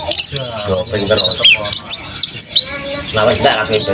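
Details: Mountain white-eye kept by a bird owner sings a lively stream of thin, high, quickly changing chirps and short slurred notes, with some low murmuring and background noise beneath.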